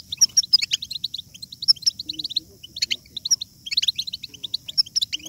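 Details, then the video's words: Singing European goldfinch, a recording meant to make goldfinches sing: lively, high tinkling twitters in short clustered bursts roughly every second, with occasional thin drawn notes and a faint low background rumble. "بتبتة الحسون ~ بتبتة جيدة لجعل الحسون يغرد بقوة !"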